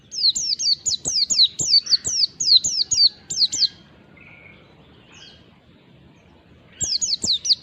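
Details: Lure song of an Oriental white-eye (pleci ngalas) for calling in other white-eyes: a fast string of high downward-slurred notes about eight times a second, a quiet gap with a soft lower whistle, then the series resumes.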